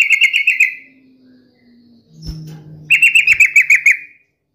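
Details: Yellow-vented bulbul in full song, meant to provoke other bulbuls into answering angrily: two bursts of rapid, stuttering chattered notes, bright and slightly descending, separated by a quiet gap with a faint low hum and a thud.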